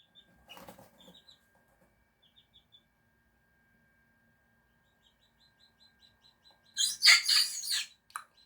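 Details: A six-week-old Serama rooster chick gives its squeaky, strained first crow after soft, high peeping, unusually early, since roosters typically start crowing at around four to five months.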